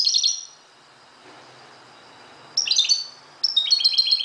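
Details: A Moroccan goldfinch sings in the early dawn, giving fast high twittering phrases with rapidly repeated metallic notes, a pause of two seconds, then two more lively bursts.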